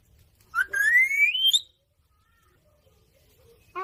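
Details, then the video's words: A green rose-ringed (ringneck) parakeet gives a single loud, clear whistle lasting about a second, rising steadily in pitch, then goes quiet before another call starts. "Ringneck Parrot sound"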